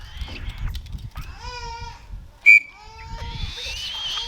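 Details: A 35-day-old black-shouldered kite chick being fed gives drawn-out, wheezy wailing calls, with a sharp click and low handling noise between them.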